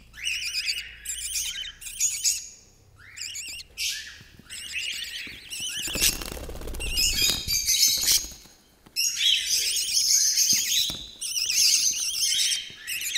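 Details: Budgerigar (Melopsittacus undulatus), warble.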